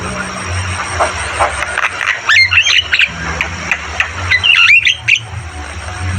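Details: Javan myna giving sparser song: faint clicks, then two bursts of squeaky whistled notes a little over two seconds apart, against a low hum.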